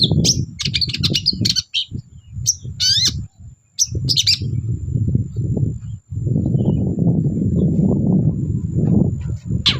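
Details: Long-tailed shrike singing busily, used to provoke quiet birds of the same species: jumbled scratchy warbles, squeaky notes and sweeping whistles, with a heavy low rumble almost throughout.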